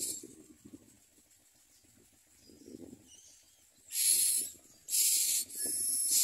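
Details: Common myna babies in the nest, mouths open for food, quiet at first with soft low shuffling, then three harsh, breathy hissing begging bursts in quick succession near the end.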